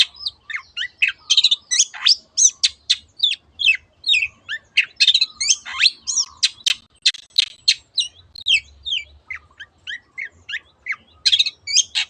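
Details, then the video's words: Long-tailed shrike (cendet) pouring out continuous 'teot teot' song, played to coax other birds to sing: a steady stream of sharp, downswept chips and rasping notes with barely any gaps. "SUARA BURUNG CENDET TEOT TEOT pancingan AGAR BURUNG MANAPUN IKUT GACOR"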